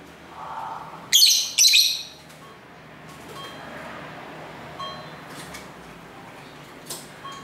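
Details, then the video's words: Lovebirds chattering at home near a busy street, recorded on a camera mic: a pair of sharp, harsh squeaks early on, then faint scattered tweets and thin whistles over steady traffic rumble. "Love Bird Sounds for 15 Minutes"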